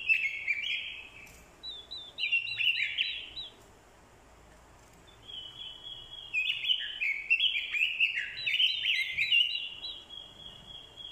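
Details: Orange-headed thrush decoy bird roused to fighting song by a female's call: strings of repeated high upslurred notes and busy, scratchy warbling in two long bouts, with a quiet break between them.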